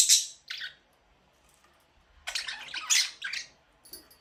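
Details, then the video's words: Budgerigar chirping indoors: two sharp, high squawks, a quiet pause, then a louder scratchy burst of several harsh chattering notes. "budgies parrot chirping sound"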